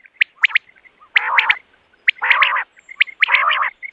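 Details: Quail calling in the morning for hunting use: three long rasping, buzzy bursts spaced roughly a second apart, each framed by short sharp whistled notes.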